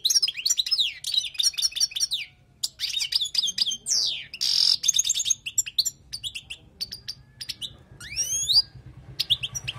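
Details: European goldfinch, a wild bird, singing a long run of rapid twittering, buzzy trills and liquid notes with fast descending sweeps, interrupted by short pauses. Intended as tutoring song.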